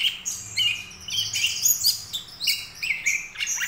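A young greater green leafbird practises a rambling, high chattering subsong of short squeaky phrases and thin whistles, with a faint low hum behind.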